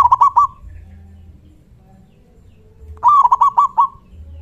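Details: A local zebra dove with a strong voice calls to provoke nearby doves into answering: a short rolling burst of soft coos opens, then after a pause a longer run of about six quick, bouncing notes.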